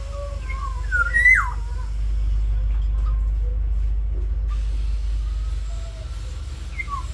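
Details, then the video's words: Black-naped oriole in a small aviary, singing actively: one fluty whistled phrase of slurred notes near the start, ending in a loud downward swoop, then a steady low hum with faint distant notes. "Kepodang emas gacor"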